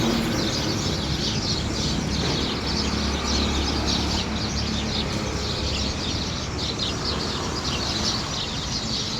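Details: Morning chorus of birds chirping, dense high twittering notes in irregular bursts, set against a constant low rumble of distant traffic.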